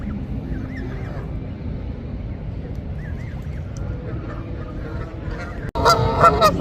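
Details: Canada geese with goslings swimming and feeding on water; a few soft, distant nasal honks over steady low rumbling noise, then a sudden loud, harsh honking burst close by near the end.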